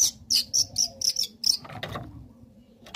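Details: Provocation song of a young long-tailed shrike: a run of seven or eight sharp, high scratchy chips, then a rougher rasping note and quieter gap, over soft background hum.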